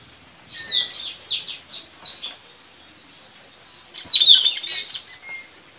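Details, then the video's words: Forest recording of a wild white-rumped shama near a trapping perch: series of clear falling whistles repeated rapidly, a pause, then a louder burst of rich, jumbled high warbling notes. "Suara Mp3 puling//Tajaling//tanau"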